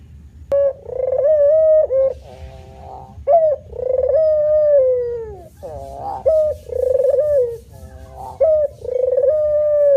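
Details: Male spotted dove cooing steadily: long smooth low coos alternating with short upward-slurred notes and a rough pulsed stretch, in a relaxed manggung performance with quiet gaps.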